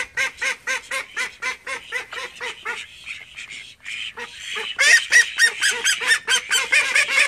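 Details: Call ducks from a flock of thirteen kept in a home: a run of rhythmic, nasal quacks fades after three seconds, a short quieter gap follows, then louder, denser overlapping quacking resumes.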